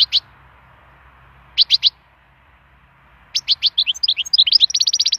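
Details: Wild European goldfinch singing, used for song stimulation: short bursts of bright twittering notes, then a quickening run of rapid repeated chirps and trills.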